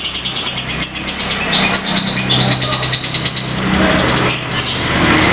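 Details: Fighter-type lovebird in the ngetik ngekek singing style, used as a lure recording: rapid, harsh, high chattering pulses with short trilled bursts over a steady low engine-like hum.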